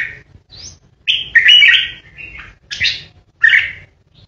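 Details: Captive red-whiskered bulbul in 'ché' competition singing: quick chirped notes leading into a rich, tumbling warbled phrase, followed by two separate sharp, bright calls, all loud and close.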